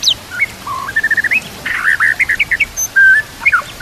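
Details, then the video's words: White-rumped shama giving lively song in a training recording with nature sounds and trickling water: stepped whistles, a fast run of evenly spaced notes, then a long steady whistle and rising flicks. "murai batu gacor full isian"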